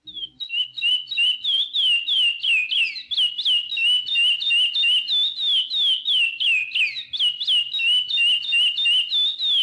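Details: Chestnut-bellied seed finch (curió) singing the praia song style: an unbroken run of clear, high whistled notes, each sliding down or up, about three per second for nearly ten seconds, with a faint low hum underneath.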